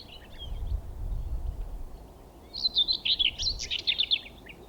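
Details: A Common Whitethroat sings near a railway at Thurrock Thameside Nature Park, moving between a bush and an overhead power line. It gives a brief scratchy, chattering warble of rapid jumbled notes, preceded by a few faint calls, over low rumbling background noise.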